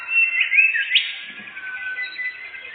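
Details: Brief stretch of canary song used to lure birds while hunting in a forest: a loud burst of sharp rising notes, then a softer rapid trill that continues steadily.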